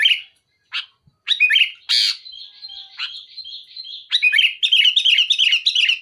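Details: Sooty-headed bulbul singing loudly to pressure a rival: a few sharp chirps, then a harsh burst and a long buzzy trill, followed by rapid, dense warbled phrases.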